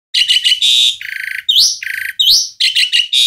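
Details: Asian pied starling in full voice, harsh grating buzzes alternating with sharply rising whistles and rapid chatter in a dense, unbroken phrase.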